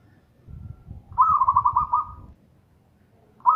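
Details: Local zebra dove with a loud, strong voice: low rumbling noise, then a single fast-pulsed rolling coo lasting about a second, and the start of another.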